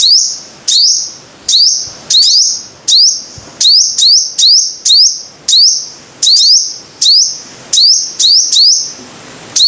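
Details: Five-colored sunbird of Vietnam giving a fast series of high, sharply rising notes, each trailing into a brief buzz, sometimes doubled, repeated over a second or less, clear and close.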